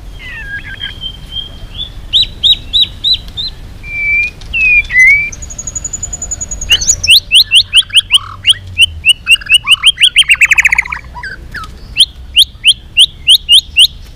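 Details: Multi-voiced fighting song from a tail-flicking white-rumped shama. Short whistled series and slurred notes give way to a long, high steady whistle, then fast runs of repeated sharp notes and a rattling trill, all loud and clear.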